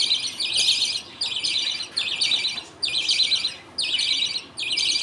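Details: Colony budgies at feeding time, a father feeding two chicks on chewed millet; raspy chattering bursts close to one a second, evenly spaced with clean gaps.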